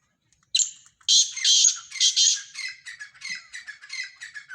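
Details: Mixed Sindhi black francolin voices: a sharp note, then loud harsh squawking bursts, followed by a rapid run of shorter rasping syllables that gradually softens.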